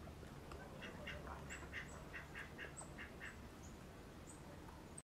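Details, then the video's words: Brown creeper in Western Canada giving very high, thin, sliding call notes roughly every second or so, over a run of lower, rhythmic chipping notes and a constant low background rumble. "Brown Creeper (Certhia americana)"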